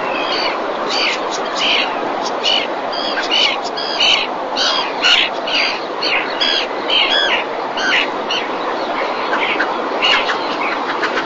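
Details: Common terns at a nest in the Marismas Negras marsh, Astillero, Cantabria, Spain, during the 2021 breeding season, recorded by a webcam as a fish is brought to the mother. Harsh, grating calls repeat rapidly over steady broadband hiss.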